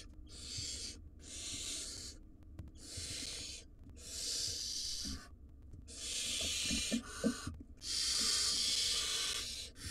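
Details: Five wild barn owl nestlings in a monitored nest box in Israel give harsh, hissing snores, about one every second, overlapping as several chicks beg at once.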